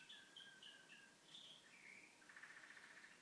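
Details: Canary kept at home singing in a room with a television on; a quick series of high whistled notes shifting in pitch, ending in a rapid pulsing trill, with background hiss.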